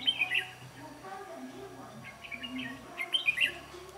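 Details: Decoy red-whiskered bulbul singing to fight during trapping gives three short bursts of sharp, chirpy warbled phrases spaced about a second apart over low hum and faint voices.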